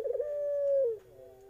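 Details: A single coo from a young Eurasian collared dove: a brief stutter, then a smooth, level tone that slides down at the end, close and clear.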